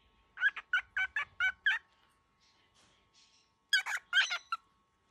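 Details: Baby cockatiel, very angry, producing a quick series of six harsh, scratchy calls, then a quiet gap with faint sounds, then a second burst of four louder rasping calls.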